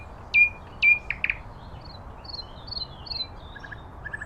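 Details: Common nightingale in nature: two loud whistled notes sliding down, a quick double note, then softer high twittering phrases and faint low triplets.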